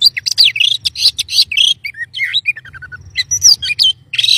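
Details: White-rumped shama song: loud energetic harsh and whistled phrases, a falling series of short notes midway, then more rapid varied bursts with a thin high whistle.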